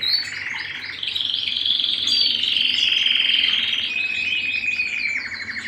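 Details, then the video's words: Canary singing at home with varied warbled phrases, a long steady rolling trill, then a lower buzzy trill and quick chirps at the end. "canary bird - canary singing - canary sounds - canary singing at home - beautiful canary birds"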